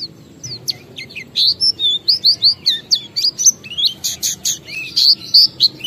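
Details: Oriental white-eye (pleci) ngalas song played to spur other white-eyes to sing, a busy, high, chattering stream of sliding chirps and buzzy notes that grows denser and louder toward the end.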